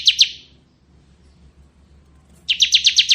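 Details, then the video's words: Bar-winged prinia of the ciblek kristal type, kept as a tutor bird: two sharp high chips, a long pause, then a quick series of six buzzy notes. "Suara Burung Ciblek Ngebren"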